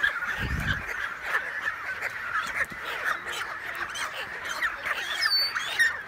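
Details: Large breeding colony of American white pelicans and cormorants on a remote lake island in the Canadian wilderness, recorded June 23, 2018 on an iPhone 7+: a continuous overlapping chorus of harsh, nasal calls, with a brief low thump near the start.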